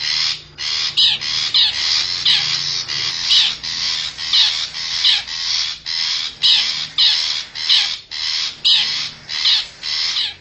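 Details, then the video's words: Wild forest long-tailed shrike lure call intended to attract wild birds: about twenty rough, rasping screech notes in rapid succession, loud and evenly rhythmic throughout ten seconds. "suara pikat burung cendet hutan"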